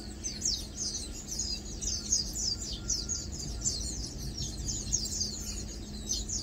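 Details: Feeding and preening Lowland white-eyes give a constant stream of high, sibilant chips and short downslurs, densely overlapping, with a steady low hum behind.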